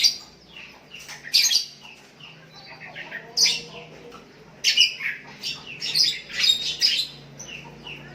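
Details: Sooty-headed bulbul calling to a rival, answered by other bulbuls; loud sharp chirps in irregular bursts, several clustered close together toward the end.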